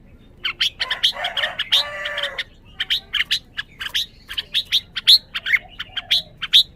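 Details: Chirping Red-whiskered bulbul, a quick run of high, clipped notes broken by a short rougher, noisier burst, then resuming with ringing upslurred chirps spaced evenly.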